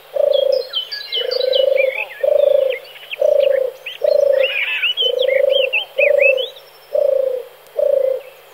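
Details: Male turtle dove song: steady series of low, throaty purring notes about one per second, nine in a row, beneath busy high chirping and warbling from other birds.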